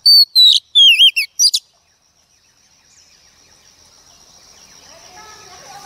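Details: Female Oriental magpie-robin singing to stimulate males: about six loud whistled and warbled notes over a second and a half, some sliding down, then silence and a slowly rising hiss.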